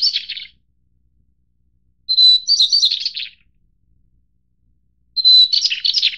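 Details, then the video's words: White-browed Shortwing, endemic Taiwanese subspecies goodfellowi of mid- and high-altitude mountain forest. The end of one phrase is followed by two full ones, about three seconds apart, each a sharp whistle running into a fast, descending warbled jumble. "小翼鶇/White-browed Shortwing"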